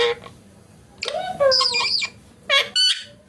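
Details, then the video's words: Parrot making speech-like harmonic squawks. A drawn-out bending phrase is followed by two short, clipped calls near the end. "Parrot Talking Natural Sounds"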